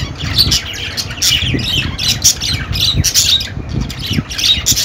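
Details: Budgerigar warbling and chirping, busy and scratchy, with notes tumbling over one another in quick succession and a faint low rumble.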